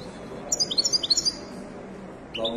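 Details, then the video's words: A Moroccan Widani goldfinch, caged at a Casablanca bird market, gives a short, fast run of high, tinkling twitters lasting under a second. A fainter bird note follows near the end over a low hum of market noise. "تغريدة طائر حسون ويداني مغربي"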